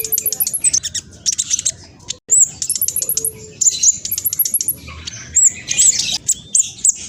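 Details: High-speed black sunbird song used as a lure for other birds: rapid strings of thin, piercing chips and trills, repeated in quick runs with brief pauses.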